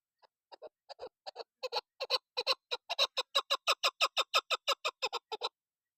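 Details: Female chakor (chukar partridge) on a hot summer morning in the mountains gives a fast series of harsh, clucking chuk notes, about three per second, starting soft and building louder and steadier.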